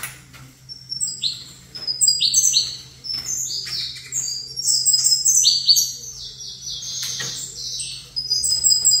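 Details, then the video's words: Two saffron finches set facing each other. Quick, high, sharply descending chirps come in clustered phrases broken by short gaps, with a constant low hum underneath. "Canto Canário da Terra"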